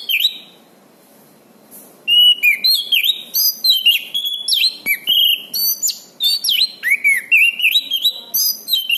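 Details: Orange-banded thrush song used as a master recording for training birds: after a quiet start, a rapid, continuous run of varied whistled and slurred notes, chirps and buzzy trills with constant pitch changes.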